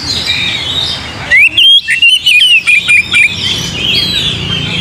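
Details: Oriental magpie-robin song meant to spur singing: a short, rapid run of bright whistled notes and sharp chirps, several per second, rises out of a constant wash of distant bird chatter, which returns when the phrase ends.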